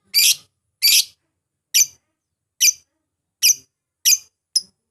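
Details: Lovebird calls, used to provoke a rival into answering and singing: seven loud, raspy high shrieks, spaced unevenly about half a second to a second apart, on a silent background.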